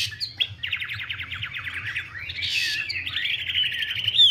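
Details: Chinese hwamei whose female dances and fans out to push the male's song; a fast metallic trill of repeated notes followed by rolling warbled whistles and a sharp upward note.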